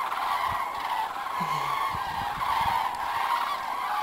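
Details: Flock of cranes flying back over south-west France in February, spring return: many birds bugle at once in a steady, rolling wall of trumpeting calls, over low rumbling and knocking noise.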